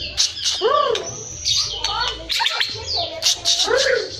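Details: White-rumped shama song from Cilacap: arched, slurred whistles mixed with sharp clicks and high chips, delivered in quick, uneven bursts with little pause, over a low background hum.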